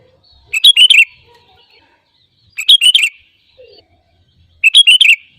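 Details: Sooty-headed bulbul, in a recording made to coax other birds into song, delivering loud, clear, bubbly chirping phrases about every two seconds against near silence.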